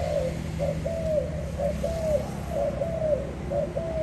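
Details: Spotted dove from 2021 cooing steadily, with short hollow notes each bending slightly downward, roughly one per second, against a constant low hum.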